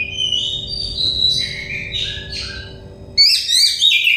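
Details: Oriental magpie-robin (kacer dakon) singing, played as therapy to get stressed birds singing: loud whistled phrases sliding between high and mid pitch, a brief quieter pause, then a burst of rapid, jumbled bright notes; low background hum.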